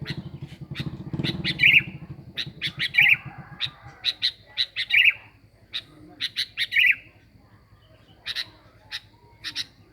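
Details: Sooty-headed bulbul in a lure recording. Rolling whistled phrases about every 1.3 seconds, mixed with sharp clicks and chips, and low rumbling at the start.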